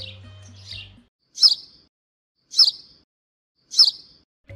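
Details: House Sparrow in a city in Brazil giving sharp, bright chirps, repeated about every second.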